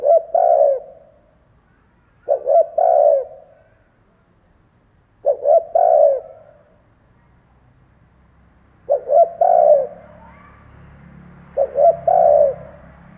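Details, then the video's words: A decoy spotted dove repeats its cooing phrase five times, roughly every three seconds, to stir up other doves. Each phrase is stuttered short notes and then a drawn coo. A low rumbling background noise joins near the end. "Chim cu gáy kích bổi , Cu gáy kích bổi mở là gáy"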